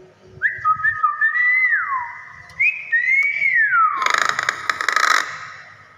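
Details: Common hill myna whistling long, pure tones that hold level and then slide down and up in smooth glides. The sequence ends in a loud, noisy, crackling burst, with faint music in the background.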